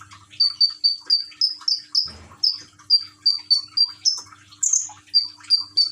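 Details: Common iora, locally konin, in a cage in Gresik, East Java, recorded on an Infinix Android phone with trickling water played; an even chain of short clear whistles at a steady pitch, roughly two per second, with a brief low thump.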